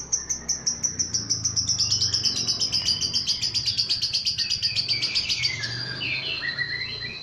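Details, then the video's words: Agile, lively lovebird agitated by a lure recording, giving its chattering ngekek song: a long, fast run of high, sharp rattling notes repeated about four times a second, sliding slightly downward, with a low hum in the background. "Love bird emosi pas u pancingan 100% ampuh"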